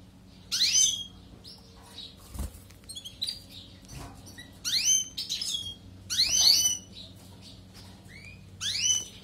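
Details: European goldfinch singing for canary training: short clusters of high, upward-sweeping whistles and tinkling twitters come in four or five bursts with pauses between, over a steady low background hum.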